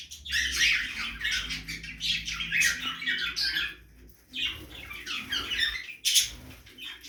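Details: Dense, busy chatter of budgerigars feeding in a backyard aviary: rough squawks and chirps almost without pause, and one sharp squeak at about six seconds.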